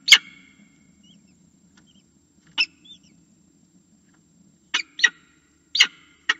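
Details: Nest-camera recording of a falcon calling to be fed: isolated harsh, scratchy calls, one opening, a lone note midway, then quick pairs near the end, separated by silent gaps over a low hum.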